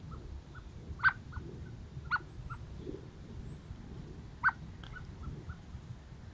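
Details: Blackbirds meeting in the morning on 5 November 2023: a few abrupt, clipped chuck notes stand out above a constant low rumble, with fainter short notes scattered between them.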